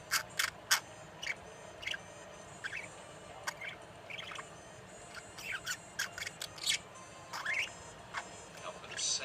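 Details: Sleepy baby budgerigar singing: a soft warble, a scattered chatter of clicks, squeaks and brief chirps.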